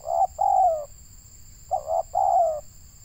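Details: Spotted dove (local tekukur) in Indonesia, a trapping decoy, giving two closely spaced coo phrases, each a brief hoot then a longer mellow note that slides downward, over a steady faint whine.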